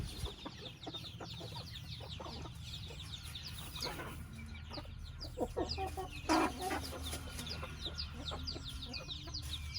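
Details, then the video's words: Chickens kept in a chicken house, with many high, downward-slurred peeps repeating rapidly and overlapping, plus a low constant hum and a brief loud knock partway through. "Chicken sound"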